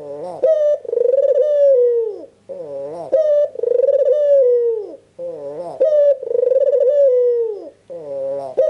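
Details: An albino Barbary dove, white with red eyes, calls to draw out silent doves. Three and a half coo phrases follow evenly, each a quick upward note and then a long, slightly wavering tone falling away.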